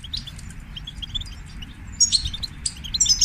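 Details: Goldfinch song: high, thin twittering notes that start faint and become louder and denser in the second half, with bright trills over a low background rumble.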